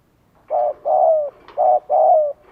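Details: Spotted dove lure call from Vietnam, used to draw wild doves in: two coo phrases, each a short low hoot followed by a longer, gently falling coo, with a quiet gap between.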